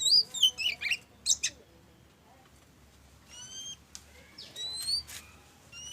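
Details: Oriental magpie-robin (kacer) in ngobra display, hot-cold song used to prompt other birds to sing: a few loud twisting whistles and chatters at first, then fainter rising whistled notes over a steady background hiss.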